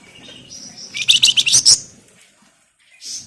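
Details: Scarlet minivet, a lively singer used as a lure for other birds, delivering a tight burst of about six shrill, buzzy chirps after a thin whistled lead-in, then a brief high note at the end.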